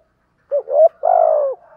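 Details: Spotted dove cooing in the 'giọng thổ' style: one phrase of two short, low, rising hoots followed by a longer, steady, mellow coo that drops at the end.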